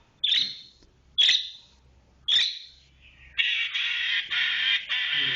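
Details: Cendet, or Long-tailed shrike, in 'roll speed rapat' style: three loud, sharp high notes about a second apart, followed by a continuous harsh buzzy rattle.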